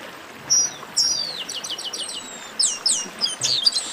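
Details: High, clear whistles from a chestnut-capped blackbird in the 'baderna' style, followed by a tumbling chain of quick falling notes and a final flurry of sharp chips.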